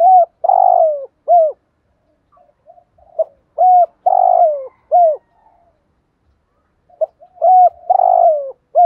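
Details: Thúc gù cooing of a spotted dove, meant to provoke other doves to call: three phrases recurring roughly every three seconds, clipped hoots leading into a drawn-out falling coo, with soft murmuring notes between.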